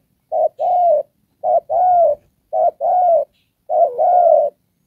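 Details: Decoy spotted dove used in trapping, giving four steady đồng pha coo pairs, each a brief note followed by a longer, slightly falling hollow note, spaced just over a second apart.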